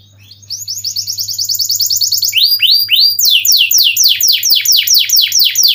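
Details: Canary in full rolling song (ngeroll), used as a tutor and lure recording to prompt silent canaries to sing: a rapid, high, even trill for about two seconds, then louder, slower descending whistled sweeps, roughly four per second, over a faint low hum.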